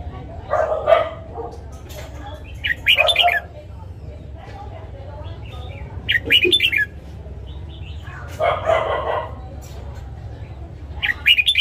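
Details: Morning song of a red-whiskered bulbul, used to train newly caught and young white-cheeked birds: rough, squawky phrases mixing lower chattering notes with higher whistles, in bursts every few seconds, over background hum.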